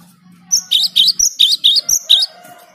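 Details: Cinereous tit (gelatik batu) singing cleanly: eight evenly spaced bright high two-part notes, each sliding up at the end, delivered in about two seconds after a faint low hum.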